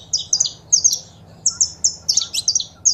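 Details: Saffron finch female calls and male song played to stimulate a pet bird: short, high, clear whistled chirps in pairs and small groups, with sharper buzzy notes near the end, over a quiet low hum.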